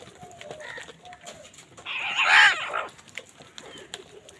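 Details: Crow fighting for food: one harsh, hoarse, broadband caw of about one second rises out of a noisy background, with faint clicks and other soft sounds around it.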